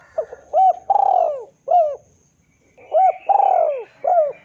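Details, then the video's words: Rival-luring spotted dove call: two clean, close phrases, each a short hooked note, a rising note, a long falling coo and a final short note, separated by a brief pause. "PANCINGAN SUARA BURUNG TEKUKUR DERKUKU MEMANGGIL LAWAN IKUTAN BUNYI"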